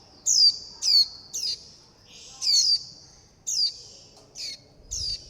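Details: Young warbling white-eyes calling their mother and flock, begging for food: high thin descending notes in short bursts, several spaced about half a second to a second apart, with a brief continuous thin tone between.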